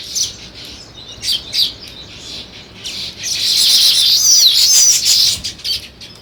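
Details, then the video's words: Separate short sparrow chirps spaced through the first few seconds, then a louder run of bright, warbling high notes before the calls thin out again. "Sparrow Chirping Sounds"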